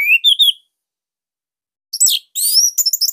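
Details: Orange-headed thrush from Bali, used as master song to coax young or silent birds into singing: a brief rising whistled phrase, a pause, then bursts of high, varied twittering.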